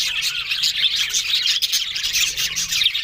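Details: Budgerigars recorded October 1 in constant, loud flock chatter, a dense wash of high warbled chirps and squeaks with no pauses.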